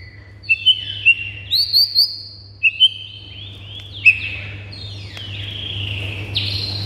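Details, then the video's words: A high-pitched white-rumped shama song used to excite mute shamas into singing. Thin piercing whistles come singly and in pairs, with a short triple burst, over faint background hiss and hum. "99% BIKIN MURAI BATU MANDEK SEKETIKA NYAUT GACOR & NAIK EMOSINYA"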